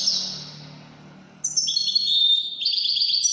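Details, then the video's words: European goldfinch called Widani: the tail of a soft phrase, a brief lull, then loud, sparkling twitters and a sustained metallic trill. "تغريد طائر الحسون الويداني"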